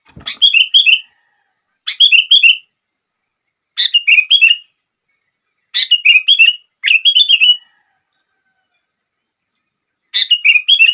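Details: Sooty-headed bulbul (kutilang) singing a song meant to set other bulbuls singing: short bright chirpy phrases of bubbling, slurred notes, one burst roughly every two seconds, against a quiet background.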